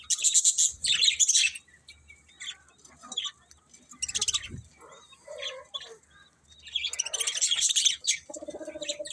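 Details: Budgerigar chirping in loud bursts at the start and end, with softer scattered chirps in between and a short steady lower tone at the close.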